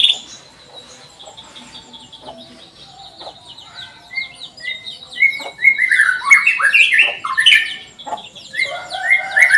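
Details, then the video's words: Canary song used to coax young canaries into singing; faint scattered high chirps at first, then a louder burst of quick varied warbling and sliding whistled notes in the second half. "Kenari gacor panjang cuit cuit"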